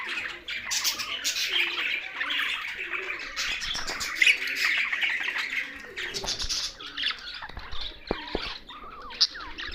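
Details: Budgerigars sharing space with parrots in Larkana, Sindh, producing a steady flock chatter of chirps and warbles, thinning toward the end into separate squeaky notes and a couple of clicks.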